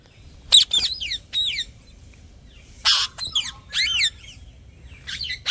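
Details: Parrot chirping: scattered bursts of sharp high chirps and squawky downslurred notes, some in quick clusters, separated by short quiet gaps.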